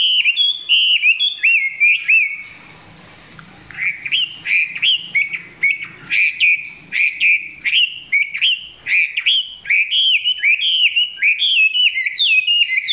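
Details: Chinese hwamei filmed at close range, song not yet at full strength. Loud slurred whistled phrases, each dipping then rising, repeat about once a second. A brief harsh noisy burst interrupts early on.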